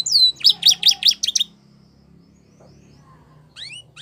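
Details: Belgian canary giving a short burst of rapid chirping notes, then a pause with faint background hum before a few high rising whistles resume.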